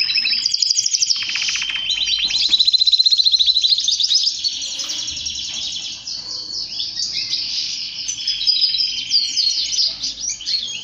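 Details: Long passage of male canary song for stimulating males: rattling trills and rolling warbles change from one tour to the next, loud at first, then softer and more varied twittering.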